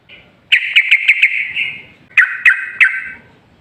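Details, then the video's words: Lure song of the yellow-vented bulbul, used to draw song from other bulbuls: a lively chattering phrase of five quick notes, then a shorter three-note phrase, both bright and bubbly. "Pancingan Trucukan PALING AMPUH ! Burung Langsung Ngalas | & Nyaut Gacor"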